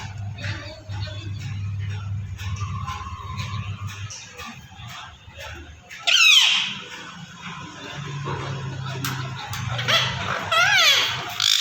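A rose-ringed parakeet gives harsh, shrill squawks in two short bursts midway and near the end. A steady low hum and indoor room noise fill the background.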